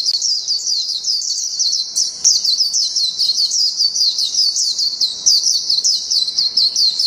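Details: Japanese white-eye delivering a continuous "ngalas panjang" song, a dense, high-pitched, fast twittering warble of sweeping notes with only tiny breaks, sustained across all seven seconds.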